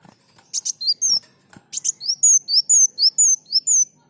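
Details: Kolibri muncang, the olive-backed sunbird, in full song for bird tutoring: a few sharp clicking notes, then a steady run of high, slurred whistles alternating in pitch, roughly three per second.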